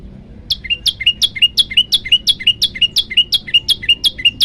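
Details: {'caption': 'Olive-backed tailorbird singing for a bird-training master track, starting after half a second of quiet: bright, clipped notes that slide sharply downward, delivered evenly at nearly three per second.'}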